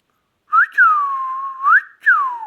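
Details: Pet Indian ringneck parakeet whistling a smooth phrase: a short rising note, a long downward glide that levels off and holds, a quick upward sweep, then another falling slur; pure and tonal, indoors with no other sounds.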